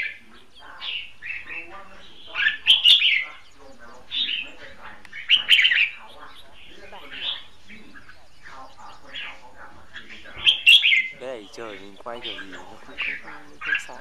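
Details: Red-whiskered bulbul used as a caged decoy for trapping, giving competitive song: short chirpy, warbled phrases in bursts every one to three seconds, with a man speaking between the phrases.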